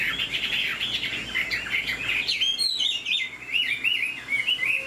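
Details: Captive Chinese Hwamei offered for sale, described as singing high, delivering a rapid stream of bright whistled and warbled notes, pitch jumping up and down in lively, varied phrases.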